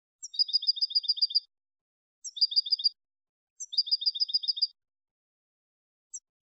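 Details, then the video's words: Malagueño-style goldfinch song, clean and meant for tutoring young birds: three quick twittering trills of stacked, buzzy high notes, about a second each, separated by short pauses, then a lone high chip, with no background noise. "NUEVO CD MALAGUEÑO LIMPIO PARA EDUCAR JILGUEROS"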